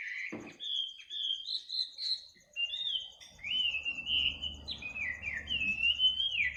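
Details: Night-time bird song recorded at midnight: a fluid run of whistled notes rising and falling in varied slides, with a soft low hum beneath and a faint continuous high trill.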